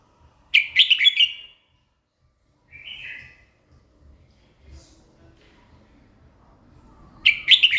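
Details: Morning song of a red-whiskered bulbul: a loud, rich warbled phrase, then a softer short slurred whistle, a long quiet gap, and the start of another bright, choppy phrase.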